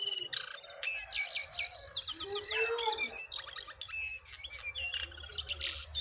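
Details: Wild and caged jongkangan singing against each other in a contest, recorded with simple equipment; dense high chattering song of rapid chirps, trills and whistled slurs, with short pauses between bursts.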